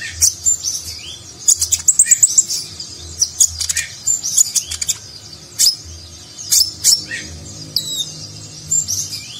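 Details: Ninja sunbird, locally konin, in a tutor recording of Nagen-style song with lavish filler for contest birds: energetic high-pitched chirping in rapid bursts, sharp downslurred notes and brief trills repeated across the clip.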